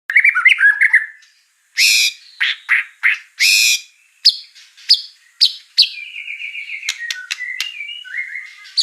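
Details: White-rumped shama song full of mimicked fill-in phrases: varied bursts of harsh broadband notes, sharp clicks and whistles, then a sustained slightly wavering whistle, with abrupt changes of tone throughout.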